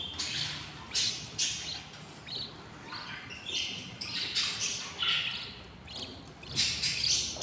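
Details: Six very hungry budgie chicks in their nest at twenty days: clusters of scratchy hissing begging notes, short and harsh, arriving in irregular bursts every second or so throughout.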